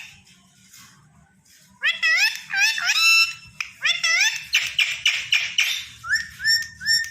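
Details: Tame green Indian ringneck parakeet kept as a pet chatters indoors in a rapid string of harmonic, voice-like squawks and warbles that blend into short level whistles, while a woman speaks softly in Hindi beforehand.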